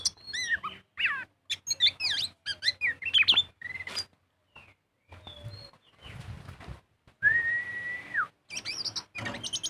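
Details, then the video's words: Oriental magpie-robin in full ngobra song, used to lure birds to sing: dense bursts of whistled and buzzy notes, short pauses with sparse soft notes, a long flat whistle with a falling end, then more quick phrases. "Pancingan burung kacer gacor full ngobra"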